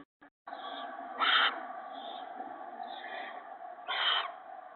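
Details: Owls at a nest with owlets on a March 2017 evening, an adult shredding a gopher to feed the young. A steady low hiss runs throughout, with two louder, broad rasping bursts near the middle and end.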